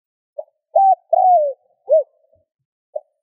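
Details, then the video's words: Single spotted dove phrase for stimulating other doves to coo: soft opening hoot, a steady flat note, a long smooth coo gliding downward, then a short arched note and a faint final hoot. "Tiếng cu gáy RÚT BỔI hiệu quả , Chim cu rút bổi bài bản.chim cu gáy . cu gáy thúc gù kích bổi"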